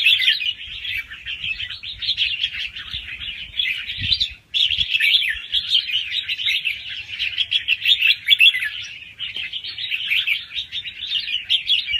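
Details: Red-whiskered bulbul, a young wild bird kept caged, delivering rapid song rounds with doubled phrases for stimulating other birds; steady high chattering warbles fill the clip, broken by one brief gap near four and a half seconds.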